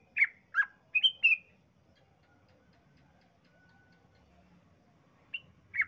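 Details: Sooty-headed bulbul (Pycnonotus aurigaster), song: used to provoke other bulbuls into singing.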